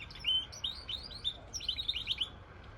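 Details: Short bright phrase from a goldfinch × canary hybrid of quick, high slurred chirps repeated in two bursts.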